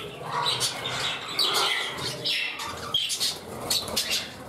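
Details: Indoor pet budgerigars settling into a new home together; scratchy warble and quick chirps rising and falling in bursts, with a brief pause near the third second and a faint low rumble underneath.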